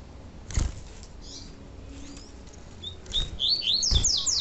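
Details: Pure tui tui song of a double-collared seedeater, in a recording offered for training and, with female calls, to excite males; soft thumps and faint notes, then a lively run of high whistles and down-slurred strokes near the end.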